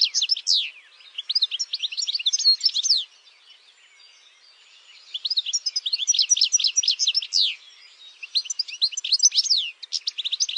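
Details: Campero-type European goldfinch singing in long bursts of rapid twittering, sweeping downslurred notes and tinkles, separated by a couple of quiet seconds.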